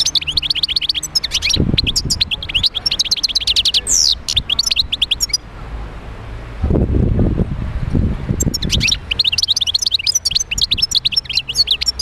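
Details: European goldfinch song played to stimulate other goldfinches into singing: bursts of fast, tinkling twitters, a pause with low rumbling noise around the middle, then the twittering resumes.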